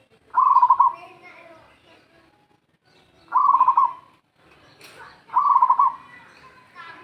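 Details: Local zebra dove used as a lure, cooing three times about every two and a half seconds: each phrase a rapid purring trill of pulses at a steady mid pitch, with faint clatter between phrases.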